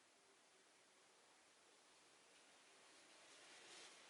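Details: Only a faint, steady hiss is heard, with no animal sound.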